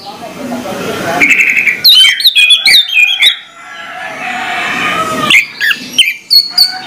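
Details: Orange-headed thrush singing in the morning: loud, varied whistled phrases with sharp rising and falling notes around the upper middle pitch, in bursts separated by pauses, with broadband noise bursts between.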